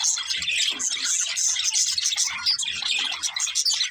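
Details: Several budgerigars, described as happy parakeets singing and playing, give dense overlapping chirps and warbles, mostly high-pitched and continuous with rapid twitters throughout, no pauses, many birds calling at once.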